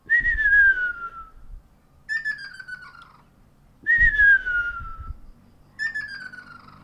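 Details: Ruddy kingfishers exchanging calls on 12 April 2019, first heard that year: four descending whistled calls about every two seconds, louder and softer ones alternating as the birds answer each other. Faint low rumble underneath.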